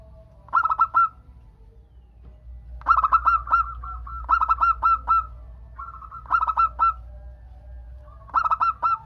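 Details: Local zebra dove singing to prompt other doves to answer: five bursts of four or five quick, staccato, mid-pitched cooing notes, spaced irregularly about two seconds apart, with faint lower drawn-out notes between bursts.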